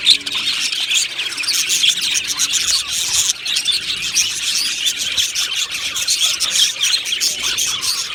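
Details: Budgerigar colony in an aviary, the birds described as happy, producing a thick wall of chirping and scratchy twitters with no pauses and only a faint hum early on.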